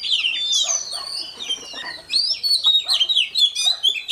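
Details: Wild-caught young Oriental magpie-robin singing to warm up at dawn: long sweeping whistles that rise and fall, a brief dip, then a brisk string of short sharp notes repeated rapidly.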